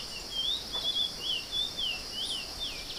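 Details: Chestnut-bellied seed finch in a rural countryside setting singing a continuous run of clear, sweeping whistles that rise and fall without pause, over a steady high hiss.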